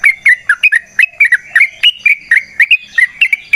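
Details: Yellow-vented bulbul recorded in the wild for use as a lure, with clear, bouncy chirps that rise and fall, delivered in quick pairs and singles at an uneven rhythm against a quiet background.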